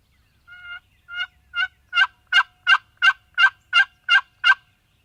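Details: Male Wild Turkey gobbling in the morning in spring in Mississippi: a rapid run of eleven harmonic, rattling gobble notes that grow from soft to loud, about three per second, with no other sounds.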